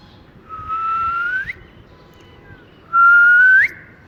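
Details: Ring-necked parakeet, a talking pet, in cool weather: two drawn-out whistles on a steady tone, each swinging up sharply at the close, the second louder and cleaner.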